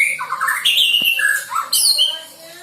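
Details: Young white-rumped shama, just out of juvenile speckled plumage, practising song material: harsh squawky notes and slurred whistles jumbled together, with a sharp click in the middle and higher squeaks near the end.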